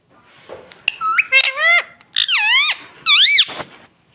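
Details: Talking pet parrot, said to say "mummy", gives a burst of shrill, looping, harmonic syllables, bending up and down in pitch, in three or four short speech-like phrases after a quiet start.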